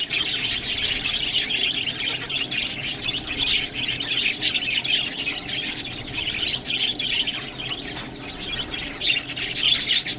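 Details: Budgerigars chattering while eating green food, a dense continuous warble of high buzzy chirps and squawks with rapid clicky bursts throughout.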